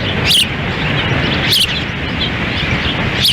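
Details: Ospreys at their nest in Lolo, Montana, on a windy June 10, 2017, the female feeding chicks while the male stands by; three sharp, high whistled chirps about a second apart over steady roaring wind.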